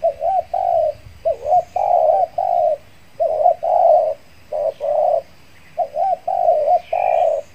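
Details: A decoy spotted dove, used on an afternoon in a mixed durian and banana orchard to lure wild doves, coos in soft, low, hollow phrases of two or three notes, each ending in a drawn-out coo, repeated steadily.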